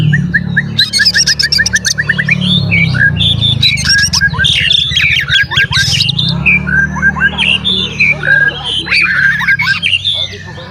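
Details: Oriental magpie-robin male in full song, mixing buzzy rattles, clear whistles and fast slurred notes in a long varied sequence, used as a lure to provoke other magpie-robins.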